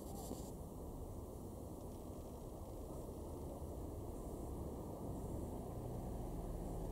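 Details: Continuous broadband rushing noise, like wind or distant traffic, fills the recording with no bird calls heard.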